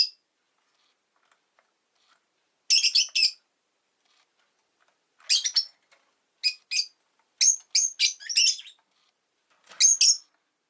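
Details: Rosy-faced lovebird kept as a pet, uttering clipped high squeaky chirps in irregular clusters of two to five, separated by pauses of a second or more.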